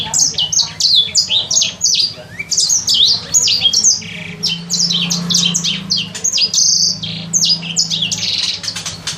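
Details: Sanger bird kept for three months sings while learning: a busy, almost unbroken chatter of high, piercing whistles that drop sharply in pitch, with occasional harsher buzzy notes and a low hum beneath.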